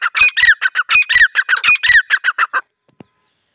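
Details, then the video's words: Female grey francolin call used as a hunting lure: a rapid run of harsh, squawky notes with a strong double band, repeated in quick bursts for about two and a half seconds, then stopping abruptly. "Dise female titar ki awaz female titar ki shekar ki awaz"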